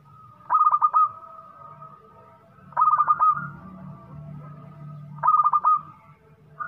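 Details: Actively singing local zebra dove: three crisp phrases of rapid, stuttering coos, each under a second, spaced about two and a half seconds apart, with a steady thin whine and low hum between.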